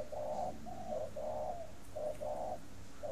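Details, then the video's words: Spotted dove kept for breeding in Ba Vì, Hanoi, delivers khách-style coos, rounded low notes in paired long-short groups repeated evenly, background quiet apart from a low hum. "CHIM VỪA SINH SẢN VỪA KHÁCH"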